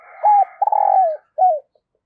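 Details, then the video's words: Decoy dove cooing to lure new wild birds: a clipped coo, a long stuttering coo that falls away, and a short falling final coo, with a faint buzzy tone beneath. "Tiếng Chim Cu Mồi THÚC và GÁY GỌI Bổi Mới, Mở Là Gáy"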